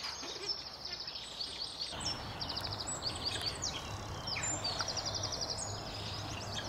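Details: Eurasian spoonbill young in their nest, Delftse Hout colony near Delft, Netherlands: piercing, fast-pulsed trills and sharp chirps that follow one another almost continuously, over a soft low hum of background noise.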